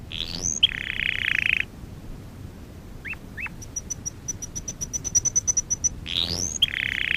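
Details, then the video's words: Canary singing for training: a rising note leads into a long, dense buzzy roll, then two short upslurs and a string of faint, high, evenly spaced ticks before the buzzy roll returns. "Kanarya sesi kanarya eğitim/1 canary sing"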